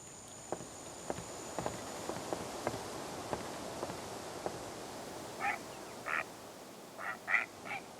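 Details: Great blue heron, described as an adult, calling at an urban nesting colony above the Colorado River in Austin, Texas: about five harsh, hoarse squawks after faint scattered ticking, with a thin steady high whine behind.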